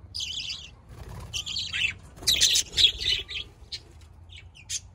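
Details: Budgerigar chatter: quick series of buzzy, wavering warbles and squeaky chirps, dense in the first three seconds, then thinning to scattered short tweets.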